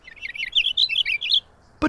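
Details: A Purple Finch sings a smooth, rich, brisk warble of quick high notes for about a second and a half, lacking the House Finch's buzzy note and ending with a brief sharp click.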